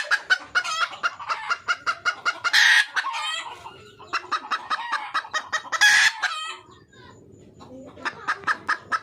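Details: Red junglefowl hen calling for a mate in the wild: long, evenly paced trains of sharp clucks, each leading into a harsh squawk, repeated twice, with soft trailing clucks afterwards.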